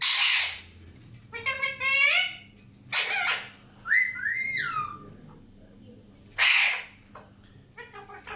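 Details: Alexandrine parakeets: a harsh screech, nasal rising-and-falling calls, and a sequence of clear whistled notes that slide up and down, followed by another loud screech and softer chatter.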